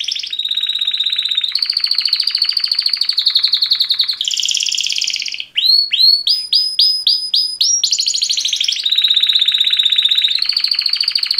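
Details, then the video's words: Mating call songs from two male canaries: sustained rapid rolling trills changing pitch in steps, a burst of spaced rising chirps in the middle, then long level trills again. "Super Two Males Canary Mating Call Songs"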